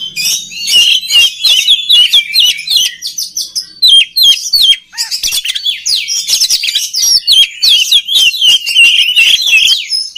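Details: Energetic oriental magpie-robin song meant to stimulate other birds: dense bursts of sharp whistles, chirps and rasping notes, repeated rapidly with a short pause midway.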